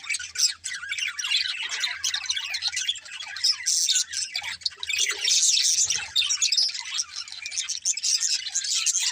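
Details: Parakeets singing and playing, said to be happy, fill the air with continuous high squeaky chirps and rapid warbling chatter, growing louder and denser past the middle.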